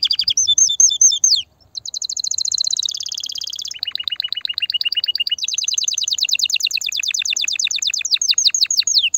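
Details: Canary singing forcefully to excite females for mating and nesting: a few whistled slurred notes, then a dense high rolling trill, a lower stuttering trill, and a long fast tour of repeated notes.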